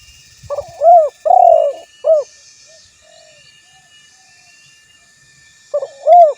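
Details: Spotted dove calling a rival, a recording meant to lure and provoke other doves to reply: a phrase of soft lead-in notes and strong arched coos, a long pause with faint distant coos, then the phrase repeats.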